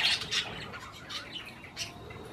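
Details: Parakeets eating cherry tomatoes make a few sharp, high chirps followed by softer scattered twitters.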